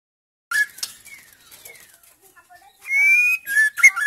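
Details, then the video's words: Female white-rumped shama singing to stimulate silent males into song: scattered clear whistled notes and slurs, then a loud burst of rising whistles and quick chattering notes near the end, with quiet gaps between. "MURAI BATU BETINA GACOR"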